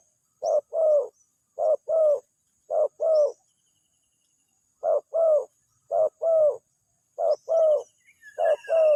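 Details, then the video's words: Spotted dove cooing as a lure that draws a response from wild doves. Double-note coos come in quick runs, with a short note leading a longer one and a pause midway. Faint high twittering sounds underneath. "suaranya langsung direspon, pikat burung tekukur"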